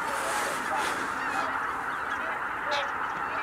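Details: Greater white-fronted geese taking off en masse at Kabukuri-numa on 12 January 2019. The sound is a thick, even roar of overlapping honks, smeared together with whooshing hiss.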